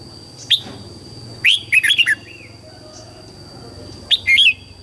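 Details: Red-whiskered bulbul singing in the morning, used to train young white-cheeked bulbuls: a single sharp note, then a rapid warbled phrase of several liquid whistles, and a shorter similar phrase near the end, over a constant faint high hum.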